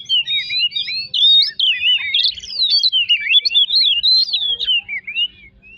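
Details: Oriental magpie-robin singing as a lure to excite other birds: continuous looping whistles, quick warbled slurs and twisting melodic phrases over a faint steady low hum.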